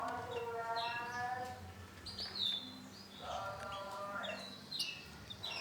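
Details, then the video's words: Male canary with orange and black plumage singing a varied song: buzzy trills, rapid repeated notes and high whistled phrases, with faint background noise. "CANARY JANTAN WARNA ORANGE HITAM"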